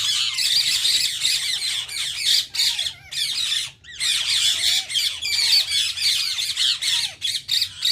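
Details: Indian ring-necked parakeets calling: a dense chorus of harsh, high squawks and screeches with short gaps, some rising whistled slurs underneath, and a low steady hum in the background.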